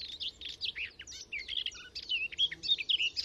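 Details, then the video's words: Hidden in a hedgerow, a garden warbler pours out a hurried, mellow warble of quick rising and falling high notes, mixed with occasional lower chirps. Recorded with a Telinga parabola and Sound Devices MixPre 6 II. "Garden Warbler Song"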